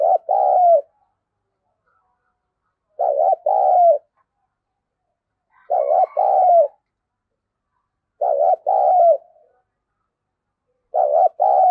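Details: Decoy spotted dove cooing steadily in the thổ sấm style to lure wild doves. Five low two-part phrases repeat roughly every two and a half seconds. Each has a wavering short note and then a longer, descending hoot, with silence between.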